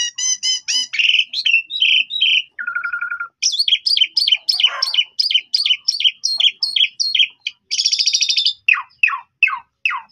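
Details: Chatty Asian pied starling song meant to prompt untrained starlings to respond: quick ticking notes, a low buzzy trill, then a long fast run of repeated squeaky notes, a harsh rasp, and falling slurred whistles.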